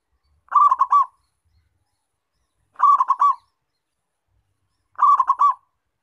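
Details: Actively singing local zebra dove used for luring wild birds, giving three brief burry coo phrases of quick stuttered notes, spaced roughly two and a half seconds apart, with nothing else audible.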